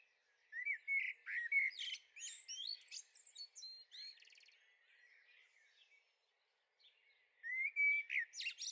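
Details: Young blackbirds recorded in a garden on the Veluwe in the Netherlands on 30 April 2014: rapid bursts of warbling, whistled and twittering notes, a short silence, then another loud, squeaky flurry.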